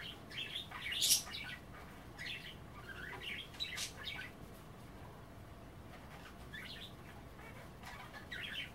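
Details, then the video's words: Pet budgerigars chattering over kale at bath time: bursts of scratchy warbles and squeaks early on, a quieter middle, then soft chirps again, with a loud click near the start. "A day in the life of a Budgie - kale bath and chattering"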